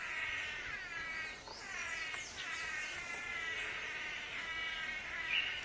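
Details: Blue manakins in forest during a mating ritual give a continuous chorus of nasal, buzzy, strongly harmonic notes that overlap and rise and fall. A few sharper sliding notes cut through, with steady forest hiss behind.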